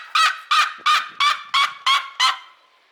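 A seriema gives seven loud, harsh yelping notes, evenly spaced about three per second, each a rough, nasal bark that drops slightly in pitch.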